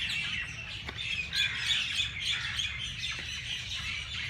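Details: Dense early-morning bird chatter in Jilani Park, Lahore, Pakistan: many high, rapid tweets packed closely together, with a couple of sharper squawk-like notes over a low hum.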